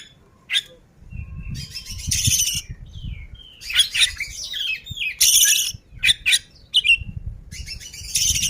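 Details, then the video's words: Ngobra oriental magpie-robin singing vigorously: loud harsh rasping bursts alternate with brief whistled glides and sharp chirps, irregularly spaced, with a low rumble in the background. "Burung kacer ngobra, gacor ngeplay"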